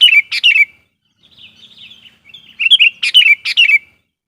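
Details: Trained lure sooty-headed bulbul calling to wild bulbuls, giving quick clear whistled notes in tight clusters, a quiet warbling passage in the middle, then renewed loud bubbling phrases repeated about twice a second.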